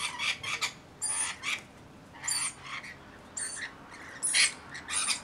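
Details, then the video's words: Around 40 Rainbow lorikeets with one baby in their flock: rough, scratchy screeches in clustered bursts, a few capped by piercing high whistles, with short quiet gaps between. "Baby Rainbow Lorikeet with small flock"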